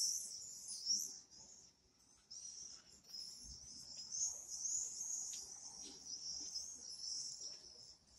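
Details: Common swifts screaming in repeated shrill, buzzy bursts separated by short pauses, several birds overlapping with whistled high notes.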